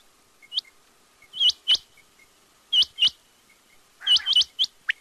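A quail gives sharp, high, upward-flicking chirps, singly and in quick pairs or bursts, at an uneven pace of roughly 45 per minute against a quiet background.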